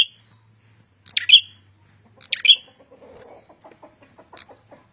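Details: Red-headed prenjak calling briskly, three sharp high chirps about a second apart, followed by faint scattered clicks and soft rustling noise.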